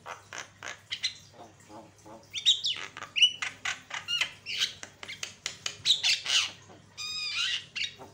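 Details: A Javan myna sings a busy run of harsh squawks, clicks and clear whistled notes, several per second, with a few longer rising whistles; the recording is used as a lure to provoke other mynas.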